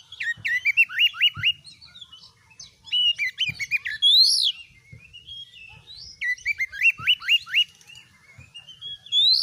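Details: Oriental magpie-robin singing gacor in a cage, used as a master tutor and mental test for other birds: repeated runs of hooked, upslurred whistles at a fast beat, broken by brief pauses and one long rising whistle.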